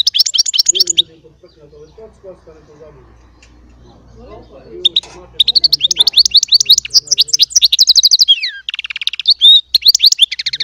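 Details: Hybrid finch delivering goldfinch-style song, a short twittering burst, then a pause with low background murmuring, before a long fast stream of tinkling trills and rising slurred notes.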